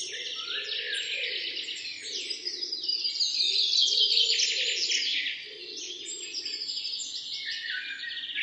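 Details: Morning forest chorus recorded from a road deep in the woods, many birds chirping and trilling at once in quick high twittering bursts, briefly easing near the middle before resuming, over a faint steady low hum.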